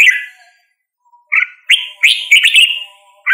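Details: Red-whiskered bulbul song of separate short phrases: a slurred note, a pause of about a second, then several loud, bright, whistled and warbled notes.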